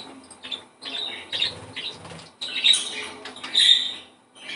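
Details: Captive budgerigars singing to stimulate breeding condition: bursts of scratchy, buzzy chatter with bright chirps around high pitch, separated by short pauses, with faint low rustling beneath.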